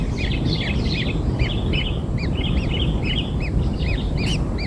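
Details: Newborn kingfisher chicks being given black insects make busy overlapping high chirps and buzzy notes in quick succession, against persistent low background noise.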